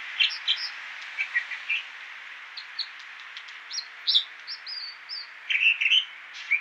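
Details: Song of an American dipper (water ouzel): varied high chirps and whistled notes in loose clusters, some sharp and clicking, others lower and warbled, with a constant hissing rush of reduced road noise behind.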